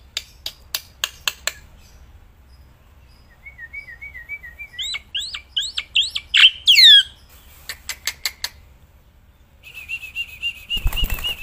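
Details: Caged black-winged myna singing continuously outdoors, even while held in the hand. Its varied song mixes quick dry clicks, a string of short whistles, and loud sweeping and scratchy notes, ending with a buzzy steady trill.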